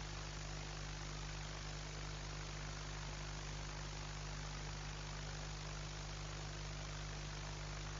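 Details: A continuous idling engine hums at low pitch, with a steady broadband hiss and no animal sounds.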